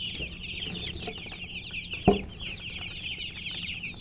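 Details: Baby chickens peep continuously, short shrill chirps crowding over one another, with a single loud knock partway through and a soft low hum behind.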